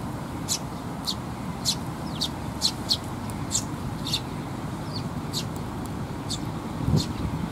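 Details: Young sparrows coming for food at a shrine in Japan, mid-May, giving repeated thin high chirps roughly every half second over steady low rumbling background noise.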